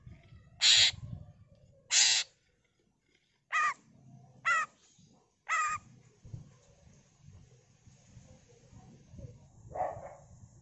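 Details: Greater green leafbird (cucak ijo) with borrowed fill-in phrases: a few loud, rasping notes, then several sharp slurred whistles, over a low background rumble, with pauses between phrases.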